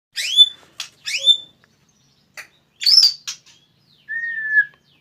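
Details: White-rumped shama beginning to bring out its fighter-style song. Sparse phrases: sharp rising whistled notes, brief clicks, a burst of high chatter, then one long level whistle, with silent gaps between.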